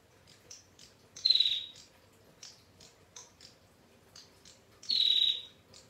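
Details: Female bar-winged prinia, lively and calling freely, giving long clear 'ngetir' trills for cage-bird tutoring: two loud, buzzy, high notes about half a second each, roughly three and a half seconds apart, with soft short chirps scattered between.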